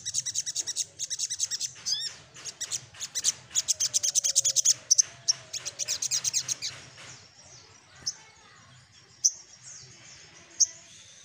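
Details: Little spiderhunter seeking a rival: a long rapid series of high sharp chipping notes for about seven seconds, then a few isolated single chips.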